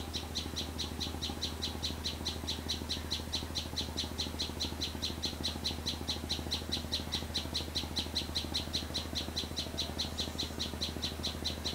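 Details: Sunbird in a garden behind a house giving a fast, unbroken series of high, sharp chip notes, while a loud low mechanical hum runs underneath throughout.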